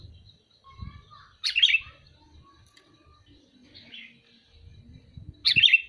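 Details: Calling sooty-headed bulbul gives two short, harsh, bright chirps about four seconds apart, with soft faint notes between them over a low background hum.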